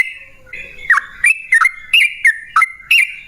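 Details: Yellow-vented bulbul singing in the energetic "gacor" style, used as a lure to make other bulbuls sing: bright bubbly whistled phrases that drop and rise, repeated roughly three times a second with short gaps between.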